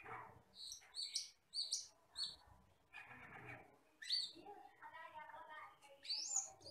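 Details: Asian glossy starling, a jet-black forest bird with red eyes, in a tutor recording: a series of short paired high chirps, then scratchy chatter, a warbled descending phrase and a final sharp rising whistle.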